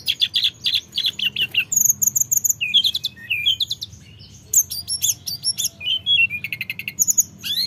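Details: Captive mountain flowerpecker, played to provoke other flowerpeckers into singing, gives very high, thin, rapid trills and sharp tinkling notes in quick bursts, with brief pauses.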